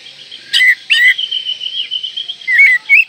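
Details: Oriental magpie-robin in breeding condition, provoking rivals: a few loud slurred whistles with short clicks between them, and a quieter sustained tone in the middle.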